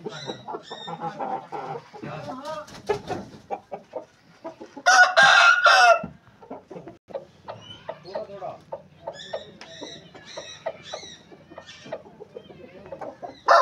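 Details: Amid busy clucking and high chirping of surrounding fowl, an Aseel rooster lets out one loud, grating crow lasting just over a second.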